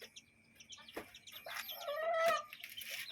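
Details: A hen with chicks in a yard and coop. A drawn-out, rising, harmonic hen call sounds in the middle, with scattered high chick peeps and soft knocks around it.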